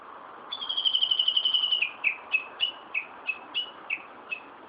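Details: Wild bird singing in Tokyo, Japan, on 1 June 2013: a long, rapid whistled trill steady at one pitch, followed by eight short, clear whistled notes repeated about every third of a second, over faint background hum.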